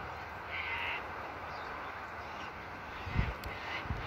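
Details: Wild galah, the pink cockatoo, visiting in Toowoomba, Australia, during rain: one harsh, grating screech lasting about half a second, set against steady rain hiss and a low background rumble.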